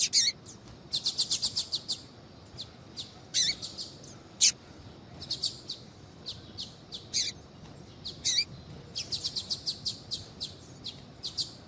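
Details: Female double-collared seedeater calling, meant to stir a cold male into song. Repeated bouts of fast, high-pitched chirps alternate with single notes and short slurred calls throughout.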